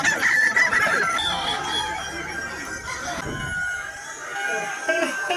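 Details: Kukuak Balenggek, a singing chicken breed of West Sumatra, at the TERGAL FARM CUP IV crowing contest: a bright harmonic crow in the first second, followed by overlapping fowl calls, crowd chatter and laughter throughout.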